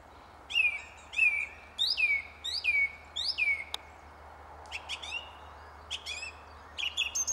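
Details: A song thrush sings from a tree, repeating a sharp descending whistled phrase four times in quick succession, then switching to a softer, higher chirping motif repeated several times.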